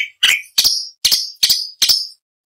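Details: Orange-bellied leafbird, recorded as training material for other songbirds, gives five sharp, ringing notes about every 0.4 seconds, each with a bright high peak, against silence.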